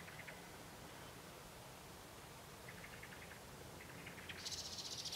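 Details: Common blackbird singing faint, mellow fluted phrases ending in a bright, rapid, high twittering flourish, over a steady background hiss.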